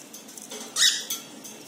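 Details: Pet cockatiels examining a nest box give one loud, harsh, scratchy screech lasting about a fifth of a second, with faint room noise before and after.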